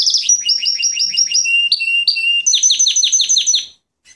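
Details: Male Fife Fancy canary kept as a pet, singing loudly: a fast series of repeated high chirps, two long whistled notes, then a quick run of descending sweeping notes before falling silent.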